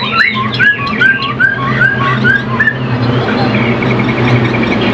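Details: ['Chinese hwamei, a caged songbird, singing a run of slurred, rising whistled notes about twice per second, then a quick thin trill. A steady low hum runs underneath.']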